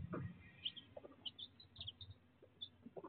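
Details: Baby chicks on raw, unedited chicken-cam footage, giving scattered short high peeps in small bursts, with low thumping and scratching underneath.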